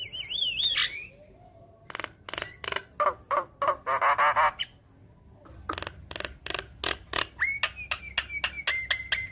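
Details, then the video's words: Javan myna song played to lure other mynas into singing: wavering whistles, harsh rasping bursts, then quick sharp notes and a run of clipped whistled chirps. "Pancingan Jalak Kebo Malas Bunyi Langsung Nyaut Saat Dengar Ocehan Suara Khas Jalak Kebo Manggut2"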